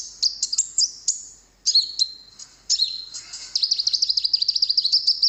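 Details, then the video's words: High konin song meant to make birds answer straight away: a few clipped chirps and buzzy slurred phrases, then a fast, even trill of rapid high notes. "masteran burung konin di jamin langsung nyaut burung denger suaranya ini"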